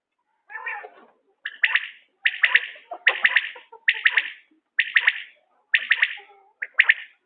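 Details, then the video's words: Common quail calling steadily in a quail-hunting setting: sharp three-part notes, punchy and bright, repeated about every three-quarters of a second, each phrase alike and clearly dominant over faint background chatter. "بٹیر کی عمدہ بولیاں || بٹیرکا شکار #common quail voice"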